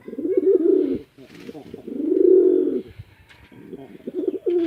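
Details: Male and female farm pigeons in Bangladesh's Chittagong District fight. Two low, rounded coo phrases swell and fade, and a third begins at the end, with faint voices in the background.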